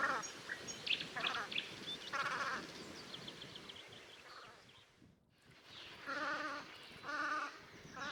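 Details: Velvet scoter recorded at Liepāja, Latvia, in March 2024: nasal, vibrating calls mixed with higher chirps, a brief quiet gap, then two clear, drawn-out wavering calls about a second apart.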